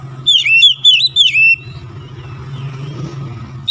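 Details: Short fast phrase from an Oriental magpie-robin lure recording, a quick string of looping, whistled notes lasting about a second and a half, then a low background hum with faint chirps.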